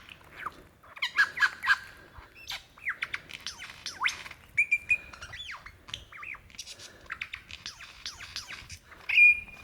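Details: Male lyrebird calling for a female in Dandenong Ranges National Park, Victoria, Australia, February 2016: a rapid medley of sharp downward whistles, squawky notes and a sustained pure whistle, with a loud burst near the end.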